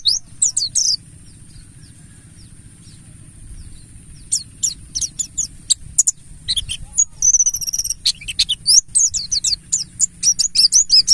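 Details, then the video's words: Mountain white-eye, Buxtoni Ngalas type, played as a lure to set other birds singing: rapid, high, thin twittering notes tumbling quickly after a quiet stretch, growing denser toward the end over a faint low hum. "Pancingan burung Pleci Buxtoni Ngalas"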